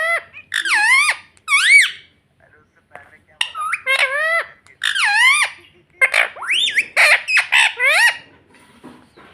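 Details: Pet ringneck parrot repeating "mummy" over and over: a series of high, squeaky, bending syllables with rich harmonics, coming in steady bursts about once a second, with brief human speech between.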